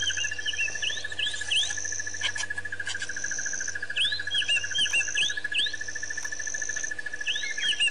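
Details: Recorded 10/9/07 at Pete's Pond, Botswana, Africa, white-fronted bee-eaters trade brisk, curling chirps in small groups of two to four notes. A constant pulsed insect trill and a high insect drone fill the background.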